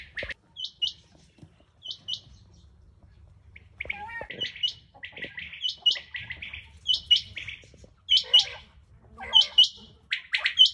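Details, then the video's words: Rain quail, recorded 21 July, give sharp, high metallic double 'whit-whit' notes repeated about every second, with softer twittering chirps over a low background rumble. "Rain quail sound , chinga batair ke awaz"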